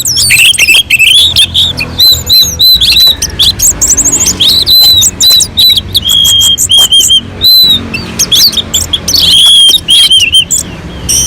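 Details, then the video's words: Orange-headed thrush on a mountain slope, its song used to provoke other birds into singing: loud, varied, rapid whistled phrases and sweeping notes, high and bright, delivered almost nonstop with brief pauses and a low background hum. "kicauan anis merah sangat merdu dan gacor untuk pancingan"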